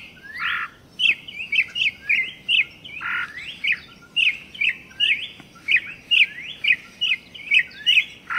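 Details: Campo troupial singing a steady series of clear, whistled, rising-then-falling notes, each phrase repeated about every half second, with occasional lower broad notes and faint background hiss.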